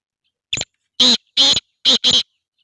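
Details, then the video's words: Kala teetar, the black francolin, calling: a short scratchy note, then four loud rasping, buzzy notes in two pairs, harsh and grating, with silence around them. "kala teetar ki awaz"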